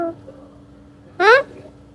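A young Alexandrine parakeet gives a single brief, rising, voice-like utterance, followed by quiet with a faint steady hum.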